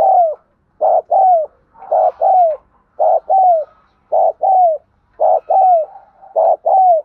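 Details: Spotted dove cooing, a recording used to train the voices of newly caught birds and to lure wild ones: short mellow two-note coos, each dropping at the end, repeated in quick groups about once a second with brief pauses.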